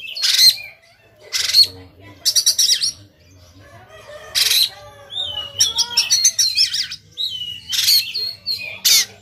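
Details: Oriental magpie-robin fighting persistently, tail spread, with rough shot-like singing: loud harsh rasps, stuttering rattled bursts, varied whistled and warbled notes in a busy, irregular sequence.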